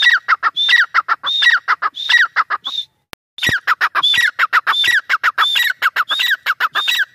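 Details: Grey francolin (teetar) repeating its loud, ringing call phrases in quick succession, high whistle then downslurred notes, with a short break near the middle before the rhythmic series resumes.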